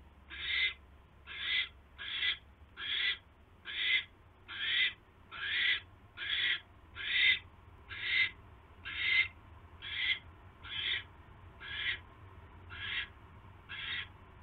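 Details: Nest of owls during a mouse delivery, evening of 29 January 2016: a sustained series of about eighteen raspy, noisy screeches, evenly paced near one per 0.8 seconds, with a soft low drone.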